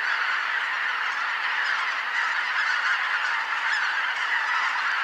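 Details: A large flock of greater white-fronted geese arriving at Kotomo-numa pond to roost at 17:25 on 13 October 2019, after the 17:05 sunset, fills the air with a dense, continuous chorus of overlapping high, yelping honks and cackles.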